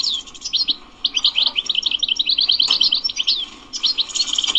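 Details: European goldfinch, described as wild, giving bebteh twitters: quick runs of sharp, high chirping notes in tight trilled series, pausing briefly, then resuming with a jangling burst over light background hiss.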